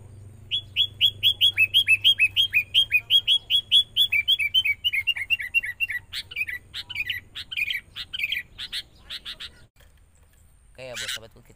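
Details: Forest-caught sooty-headed bulbul in training alongside a lure bird: a long run of about twenty clear downslurred whistles, then looser varied notes and a final harsh burst.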